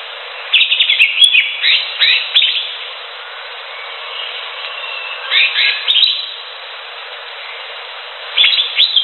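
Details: Singing wild greater green leafbird, delivered in three separate bursts of rapid, jumbled high chirps and whistles, with long quiet gaps of faint background hiss between them.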